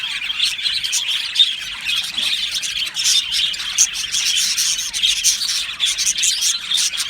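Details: Happy budgerigars in an aviary colony, many birds chirping at once: dense, continuous warbling chatter with sharp squawks and clicks layered throughout, a busy high-pitched wall of sound.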